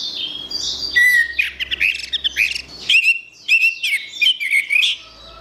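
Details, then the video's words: Orange-headed thrush giving continuous gacor song. Sweet whistled notes mix with rapid scratchy chips and trills in a lively, unbroken stream, set against soft high background twitter. "Suara Burung Anis Merah | Gacor"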